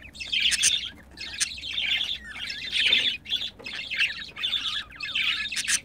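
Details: Two pet budgerigars caught while mating, giving busy warbled chatter in bursts of about a second, chirpy and scratchy, broken by short pauses, with sharp high clicks mixed in.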